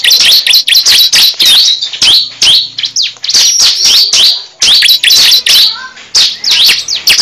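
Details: Cible bird calls used as a lure for trapping birds: dense bursts of sharp, high chirps and quick downslurred notes, broken by short pauses, with a faint low hum underneath.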